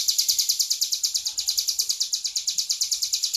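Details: Vigorous gacor song from a tame hill prinia, a quick, even rattle of sharp, high buzzy notes without a break; soft low noise in the background.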